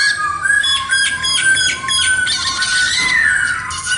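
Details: Black-throated laughingthrush song made of steady clear whistled notes repeated under rough buzzy pulses, ending in a long gliding whistle.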